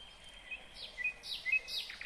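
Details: In Kyrgyzstan in 2020 a nightingale sings short phrases: a thin sustained whistle, sharp clicking notes and quick descending sweeps, repeated in brief bursts.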